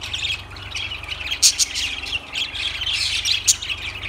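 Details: High, harsh lovebird squawks and thin chirps, with a couple of loud piercing shrieks standing out, set against a low steady hum.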